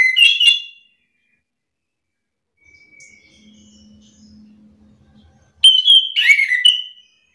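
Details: Orange-headed thrush (anis kembang) worked up into an answering duel with another songster. A short warbled phrase is followed by a long pause with a faint low hum, then a second burst of varied, slurred whistles.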